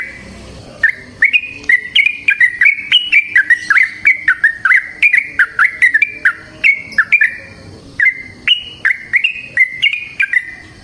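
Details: Yellow-vented bulbul singing a long, lively 'ngalas ropel' song, used as a lure to get other trucukan to sing: a steady run of bubbly, clipped whistled notes rising and falling, delivered one after another for about ten seconds.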